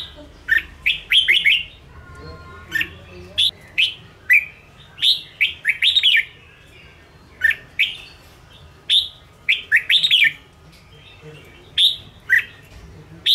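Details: Ché-type red-whiskered bulbul in a cage, singing to provoke and train other caged birds: a long run of sharp whistled phrases, swooping up and down, repeated roughly every second, with faint low hum beneath.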